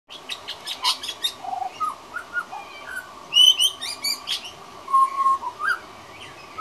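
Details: A juvenile male pied butcherbird (Cracticus nigrogularis), a regular visitor, practising his song: soft, rambling fluted whistles, some sliding up or down, mixed with higher chirps and brief clicky notes over a quiet background hiss.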